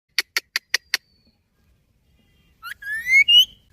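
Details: Ringneck talking parrot: five sharp, evenly spaced clicks, a pause, then a run of rising, harmonic-rich whistled syllables climbing in pitch toward the end.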